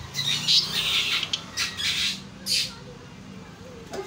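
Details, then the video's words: Asian pied starling (jalak suren) singing energetically while puffing up. Loud, harsh, squawking bursts repeat in rough clusters, with short pauses between them. "JALAK SUREN GACOR MOMPA"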